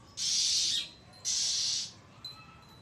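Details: Oriental magpie-robin making loud threatening calls on 1 April 2023: two harsh, noisy rasps in quick succession, followed by a faint short note.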